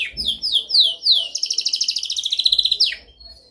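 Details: Canary training song: four loud descending whistled sweeps, then a long fast rolling trill of about twenty pulses, closing with a sharp downward note.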